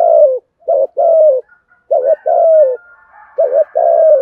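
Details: Spotted dove in the "giọng thổ" voice style, used to lure wild doves: repeated phrases of a short double hooting note followed by a long, slightly falling coo, with a faint thin whistle in the background.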